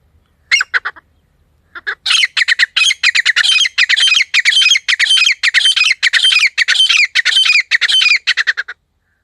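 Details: Calling wild grey francolin, a sound hunters use as a lure: a few harsh notes, a brief pause, then a long, fast, continuous stream of loud rasping, squeaky notes lasting about seven seconds before stopping.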